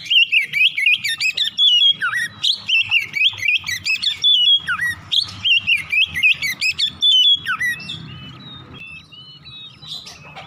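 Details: Oriental magpie-robin in morning song, intended to prompt other birds into full singing: dense, energetic stream of bright whistles, dipping slurs and buzzy chips for about seven seconds, then thinner high notes over quiet background.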